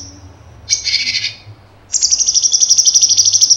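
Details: Cucak cungkok delivering 'tembakan' song: a short harsh chattering burst, a brief gap, then a sharp high rattle of fast evenly repeated clicks.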